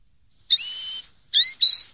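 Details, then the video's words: Clear, loud whistled linnet notes for young birds to imitate (2013): one long steady high whistle, then two shorter whistles, the second held flat and bright. "cd educar pardillos noveles 2013"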